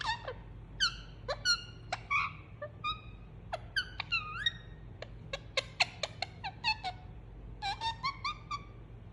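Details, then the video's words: Cuddled pet Indian ringneck parakeet giving soothing sounds: quick squeaks, clicks and short whistled notes, some bending up or down, scattered irregularly at about one and a half per second, soft and close, with low background hum. "Cute Pet Parrot Enjoying Cuddle And Making Soothing Sound"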